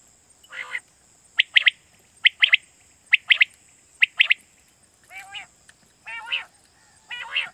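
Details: Quail calling in Pakistan, a recording used as a lure for night hunting: crisp three-note phrases repeated roughly every second, then several harsher, buzzy, layered notes toward the end, over a constant high-pitched hiss.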